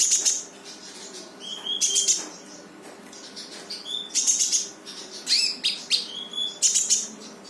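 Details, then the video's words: Brown-throated sunbird in full song to stir a quiet bird into singing: dense bursts of shrill chips and rising whistles alternating with short level whistled notes, over a continuous low hum. "KONIN GACOR FULL TEMBAKAN || UNTUK MANCING KONIN MALES BUNYI LANGSUNG IKUT BUNYI"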